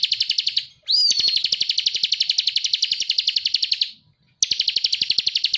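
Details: Ngebren-style masteran song of a bar-winged prinia: a sharp upward whistled note followed by a fast, even rattling trill lasting several seconds, broken by a brief silence before another trill starts.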